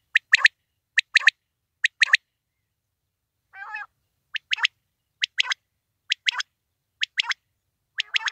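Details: Quail giving crisp, clipped double notes repeated roughly every second over eight seconds, broken once by a brief lower, rattling squawk, with no other sounds around.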